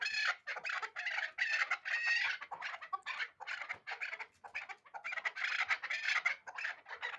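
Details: Loud, raspy calling from a hybrid chukar partridge, groups of rapid grating notes separated by short gaps, repeated over seven seconds.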